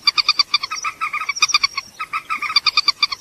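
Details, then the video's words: Purple swamphen lure call: steady, rapid run of nasal, buzzy clucks, roughly ten per second, with short pauses between groups and no other sounds. "Suara Pemangil Burung Mandar"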